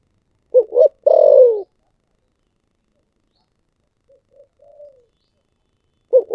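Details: Spotted dove with the 'thổ sấm' voice: one phrase of two quick coos and a long descending note, a faint soft echo-like coo later, and the start of another phrase at the end.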